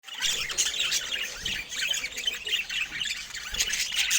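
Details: Budgerigars chattering: dense, continuous high-pitched warbling and squawky chirps layered over one another, with several birds calling at once throughout.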